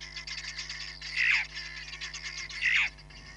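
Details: At Nkorho Bush Lodge on 31 July 2021, a Hamerkop on a live camera gives a steady chatter of fast high pips, with two loud, harsh, downward-sliding notes about one and a half seconds apart.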